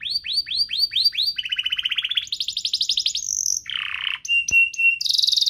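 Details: Canary pair in full vigorous song for prompting and tutoring young canaries: repeated curved whistles, then fast buzzy rolls at changing pitches, a harsh lower burr, and a clear sustained whistle near the end.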